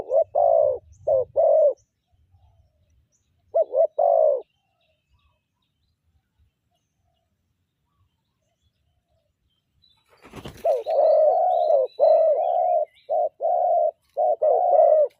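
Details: Spotted dove used as a decoy, calling in the morning: brief runs of soft, warbling coos, a long pause, a sharp knock, then a faster string of throbbing coos with faint chirps of other small birds.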